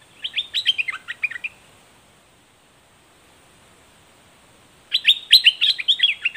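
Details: Straw-headed bulbul facing off against a wild bird: a tumbling warbled phrase of quick, descending liquid notes, a pause of over three seconds, then a louder, fuller burst of rich chattering song.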